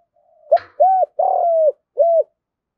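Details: Morning song of a decoy spotted dove calling in wild doves. A faint soft lead-in and brief rustle, then a clipped note, an arched coo, a long sliding coo and a closing rounded coo, all clean and hollow.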